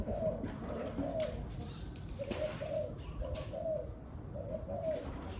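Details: Spotted dove cooing on a very windy day: soft, low hooting phrases repeated about once a second over a steady roar of wind.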